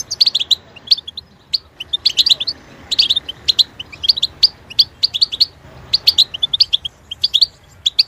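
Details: Goldfinch song used as a training tape for young and captive songbirds: rapid bright twittering chirps and short trills, bursts every half second or so with brief pauses, high-pitched and clear, no other sounds.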